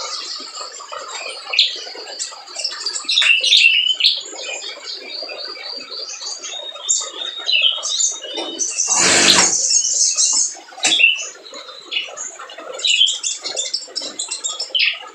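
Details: Spiderhunter singing energetically as a lure for other birds that are slow to sing: a long, busy stream of high chirps, squeaks and trilled phrases, broken midway by a loud, harsh noise burst.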